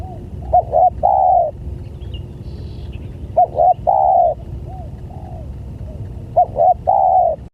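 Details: Lure call of a spotted dove meant to attract other doves: three phrases of two quick hoots and a long, steady coo, about every three seconds, with softer faint coos between and low rumbling background.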